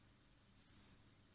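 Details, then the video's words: Single thin, high whistled begging note from a common blackbird (Turdus merula) chick being hand-fed in spring at a wildlife recovery centre before release. "Cebando a los polluelos de mirlo común (Turdus merula)"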